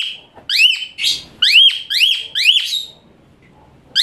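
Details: Training song of an Asian pied starling, high and shrill: five bright arched whistles in a row, each rising sharply and dropping away, about one per half second, then a short quiet gap before another note begins.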